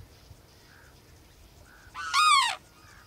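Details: Sarus crane giving one loud, harsh trumpeting note of about half a second. It is rich in overtones and falls slightly in pitch, after a quiet stretch with faint distant calls.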